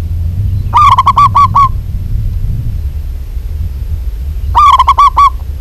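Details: Local Indonesian zebra dove (perkutut), a female calling a male: two loud bursts of about six rapid, clipped, cooing notes, roughly four seconds apart, over a steady low rumble.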